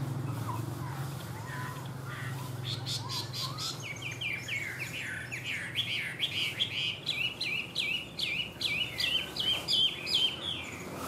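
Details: Tame captive Chinese hwamei starting with faint low whistles, then building into rapid, loud, varied chattering and whistled phrases repeated several times a second.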